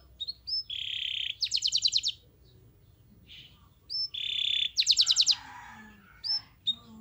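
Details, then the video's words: Canary (kenari) master song for training other canaries to sing: short whistled notes and a buzzy tone, then a quick rattling trill, with the whole phrase repeated twice amid quiet gaps. "MASTERAN KENARI GACOR Yang Lain Agar Ikut GACOR"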